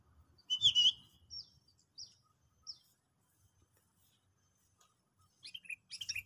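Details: Sooty-headed bulbul song used as a trapping lure in a trial: a loud, bright whistled phrase, then sparse short high notes and a closing burst of quick chirpy notes over near silence.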